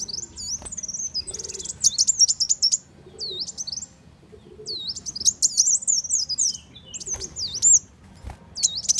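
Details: Sunbird lure call for attracting birds to traps: phrases of high, wavering whistles and quick chirps, each phrase lasting about a second, separated by short silences, over a soft low hum.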